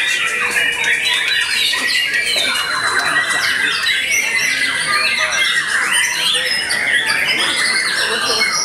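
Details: Energetic song of a white-rumped shama following its moult: a continuous cascade of chattering whistles, quick slurs and scratchy notes, high and loud throughout.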